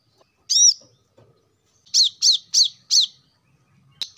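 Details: Plain-throated sunbird as a lure for caged birds that are slow to sing: one shrill arched chirp, a pause with faint low sounds, then a quick run of four sharp descending chirps and a brief final note.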